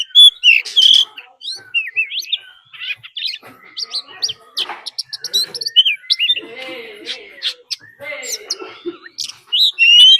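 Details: Decoy Oriental magpie-robin in fighting song alongside a wild female's call: bright whistled notes and sliding phrases, quick chattering clusters and occasional lower buzzy notes, delivered in an uneven stream.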